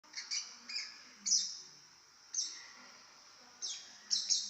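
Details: Very chatty baby lovebird making shrill, high chirps in short bursts, often doubled, with pauses of up to a second between them. The background is quiet.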